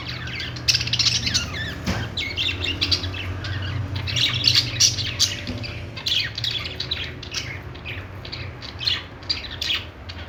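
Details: Budgerigars keep up continuous, dense, high-pitched twittering and squawking from many birds at once, over a pronounced low hum.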